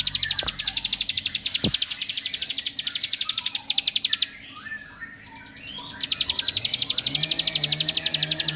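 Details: Bar-winged prinia singing to provoke rivals: rapid bursts of high, clipped chip notes, broken by a quieter pause with soft twitters, then the fast ringing series resumes. One loud knock is heard early.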